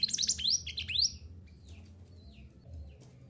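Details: Mantenan gunung singing on a recording meant to push caged birds into song. A burst of quick high upswept chirps lasts about a second, then fades to a few soft, thin, scattered notes.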